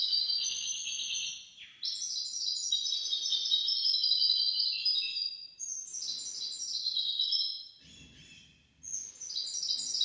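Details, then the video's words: Hybrid goldfinch-canary in song, a recording for teaching goldfinches and canaries. Long sequences of fast, high, tinkling trills and warbles are broken by a falling note and a brief quiet gap near the end. "تغريد طائر الهجين الميسترو حفاضة ودانية لتعليم طيور الحسون والكناري بدون أخطاء"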